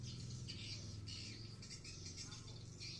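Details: Swiftlets in a nesting building at Blokagung, Banyuwangi, East Java. Dense bursts of high, squeaky chirps overlap continuously against a loud low drone.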